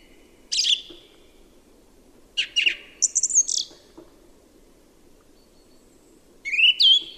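A Song thrush gives short, loud phrases of sharp whistles and rapid chattering notes, separated by pauses of a second or two, over a faint low hum.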